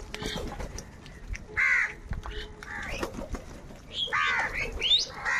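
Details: Several crows contest food with scattered harsh caws and short squawks, loudest bursts near the middle and end, separated by quieter gaps.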